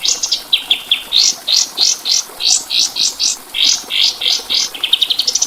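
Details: White-eye (kapas tembak) sings a lively run of loud, slurred high chirps, about three per second, opening and closing with quicker rattling trills, over a soft steady background hiss.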